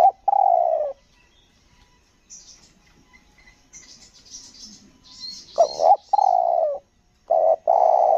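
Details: Spotted dove from Lombok used to lure wild doves for trapping: a long coo, a quiet stretch filled with high twittering from another bird, then a stuttering double note, a drawn coo and more short coos.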